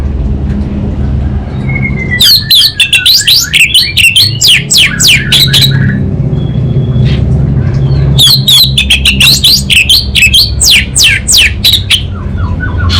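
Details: Orange-headed thrush, Anis Bata form, pouring out dense scratchy and whistled notes in long rapid runs, two bursts separated by a quieter stretch, with a low background hum throughout.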